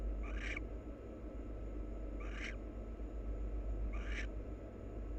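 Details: Wild barn owl pair preening each other in a nest box: three short, harsh, rising chittering calls spaced about 1.7 seconds apart over a low steady hum.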